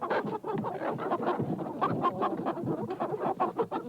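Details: Hens crowded in a hen house give a constant low babble of clucks and grumbling calls, layered thickly with no clear gaps.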